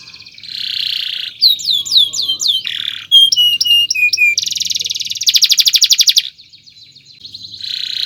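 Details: Canary singing a long chirping song meant for training other birds, starting with a buzzy note, then looping downward slurs, sharp clicks with low sweeps, a long dense rattle and a closing buzz.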